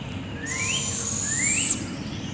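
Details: Barred owlet screeching at 7am in Devil's Den Campground woods while its mother brings food to two young; a loud, drawn-out hiss over a second long, with two rising whistled notes from another bird.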